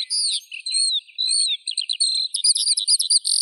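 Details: Eurasian skylark song of long, clear, high whistles that gives way to a fast, stuttering burst of repeated chirps near the end.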